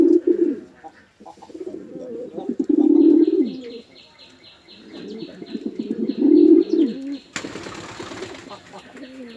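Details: Male and female pigeons fighting at a Bangladeshi village pigeon farm in Chittagong District utter rich rolling coos in swelling phrases, with fast high chirping behind and a sharp flapping burst toward the end.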